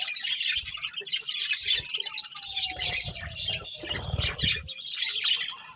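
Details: Budgerigar breeding pair keeps up steady, dense high chatter, while a faint tone slides slowly downward underneath and low thumps sound now and then.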